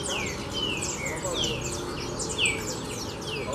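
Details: A rusty-collared seedeater (coleiro) sings a teaching song for young birds to learn from: clear descending whistles sliding down several times a second, mixed with thin, buzzy high notes, over a steady background hiss.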